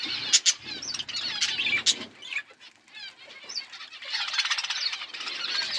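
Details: Budgerigar flock feeding together, giving busy high-pitched chirps and twittering that fade in the middle, then swell again into dense overlapping chatter.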